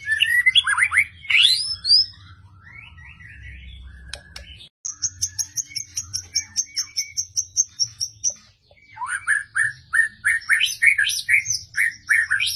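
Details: Persistent white-rumped shama from Medan delivering sharp 'tembakan' shots: varied whistled slurs and chirps, then a long, high, steady rattling trill, followed by loud, rising whistled notes repeated in a quick series.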